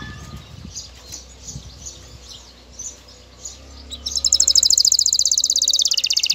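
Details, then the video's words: Male canary ready to breed, singing to call a female: a stretch of soft background hiss with faint notes, then a loud fast high trill bursting in for the last couple of seconds. "تغريد كناري جاهز التزاوج, تزاوج طاىر الكناري, نداء ذكر الكتاري التزاوج"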